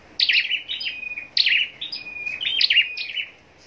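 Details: Kept scarlet-backed flowerpecker giving contest song: high, thin twittering phrases of sharp descending chirps and short trills, three bursts about a second apart, each ending in a brief flat whistle.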